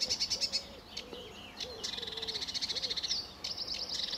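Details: Sedge warbler singing lively at RSPB Fowlmere on an early July 2013 morning under blue sky and sun: rapid repeated high chattering notes, buzzy bursts and a fast rattling trill, with faint low curved whistles of another bird beneath.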